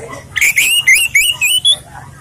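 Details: Relaxed Orange-headed thrush song of the kind used as a lure for other birds: a rapid run of about seven clear whistled notes, each stepping slightly higher, with rich overtones and a quiet, steady room background.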